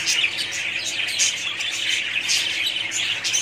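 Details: Many budgerigars calling together in a colony, bright quick chirps and short warbled notes piling over one another in a continuous high chatter.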